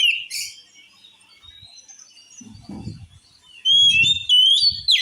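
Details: Oriental magpie-robin whose song supposedly drives rivals into a rage: a short opening whistle, a long quiet gap with low rumbling noise, then loud clear whistled phrases in the last second and a half.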